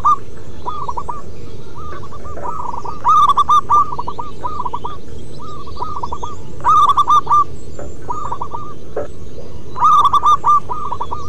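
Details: Local wild zebra doves singing steadily: three loud bursts of quick, rolling coo notes about three and a half seconds apart, linked by fainter runs of the same stuttering cooing over a low hum.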